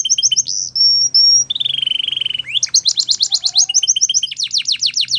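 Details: A male canary sings steady high whistled tones, a lower sustained buzzy trill, then fast rolling trills and falling sweeps, with a faint low hum underneath.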